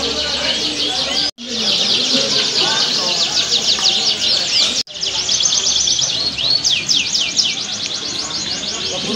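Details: Singing contest for canaries at Auditorium Linggarjati, Kuningan, Sunday 11 June 2023. Several birds overlap in dense, high rattling trills and twittering phrases, with two short cuts and human voices in the background.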